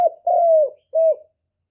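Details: Spotted dove cooing, a recording used as a lure for trapping and to stir up kept birds: a short clipped note, then a long level coo falling at the end, and a shorter coo, all mid-pitched and mellow.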